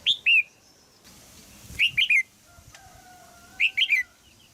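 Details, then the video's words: In Thailand a caged female red-whiskered bulbul calls to get a young male singing. A two-note chirp opens, then two quick three-note phrases follow roughly two seconds apart, with a faint steady hum between them. "นกหัวจุก birds - นกตัวเมียร้องเจี๊ยก ๆ ในกรงเพื่อกระตุ้นให้นกหนุ่มร้องดีมาก"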